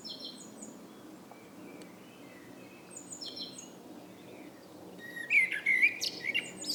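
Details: In the evening, other birds chirp quietly and high at first. Then a blackbird breaks in near the end with a brief, rich warbling phrase topped by scratchy high twitters.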